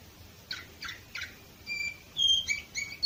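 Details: Canary of the Orpheus type recorded in 2018 in Varna, Bulgaria: three spaced chirps, then clear whistled notes and short buzzy phrases.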